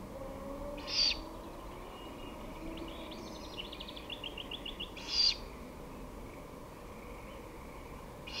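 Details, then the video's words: Great horned owl on 23 May 2018 at 5:53 pm, repeating loud breathy screeches about every four seconds, with a small bird's rapid ticking trill between them and steady low background noise. "Grand-duc d'Amérique (partie 1) / Great horned Owl (part 1)"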